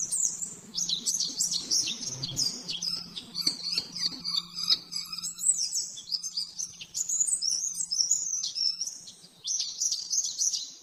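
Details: Oriental white-eye delivering a rapid 'nembak-nembak' training song for caged birds: high, wavering whistled trills and clipped chirps, some sharp clicks between phrases, and a soft ongoing hum below.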